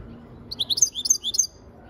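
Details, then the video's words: European goldfinch singing a quick burst of bright, tinkling twitters and short liquid trills, high-pitched and jumbled, lasting about one second against a quiet background. "اجمل تغريد حسون"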